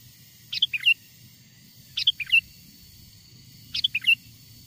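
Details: Sooty-headed bulbul singing, a wild bird's song used to lure wild bulbuls close: three crisp phrases of four quick notes, a sharp start and a curling finish, spaced almost two seconds apart.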